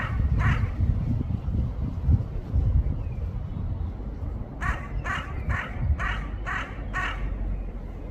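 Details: Crow giving two harsh caws, a pause filled with low rumbling background noise, then a rapid run of six hoarse caws roughly half a second apart.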